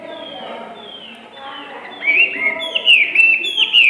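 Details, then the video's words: Tame first-season Hwamei singing in a rapid style compared to gunfire; soft murmuring background gives way at two seconds to loud, clear whistled notes, each sliding downward, delivered in a fast, uneven run of about five phrases. "Họa mi hót như aka bắn"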